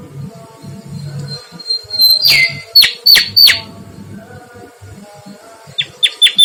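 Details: Mangrove whistler giving lively song: a drawn-out whistle dropping in pitch, a few sharp descending notes, a lull with low murmur, then three quick falling notes at the end.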